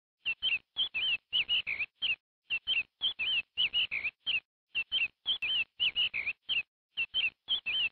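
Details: Chicken giving rapid, high, thin peeping chirps, each a short wavering note that dips and rises, delivered in quick uneven bursts with brief silent gaps and no other sounds.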